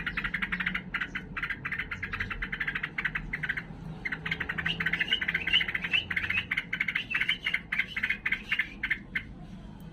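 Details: Sooty-headed bulbul (trucukan) singing in an agitated, fighting mood: rapid, dense chattering of short notes repeated many times a second, pausing briefly near the fourth second, then resuming with a slightly higher, busier stretch.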